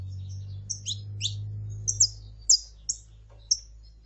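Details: Saffron finch female calling and male singing: short, high downward-sliding chirps at an uneven pace of about two per second, over a faint low hum in the first half.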